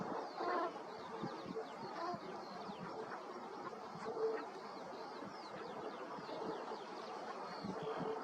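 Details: Brent geese at Reculver: a flock keeps up a continuous murmur of overlapping short, throaty calls, steady throughout. Broadband background noise is mixed in.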